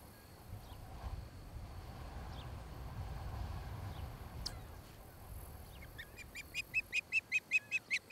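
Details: Nest-cam osprey near Charlo, Montana, 26 July 2018, late afternoon: after quiet rumbling and faint downslurred notes, a loud run of sharp, evenly spaced whistled chirps begins, about five per second, building at the end.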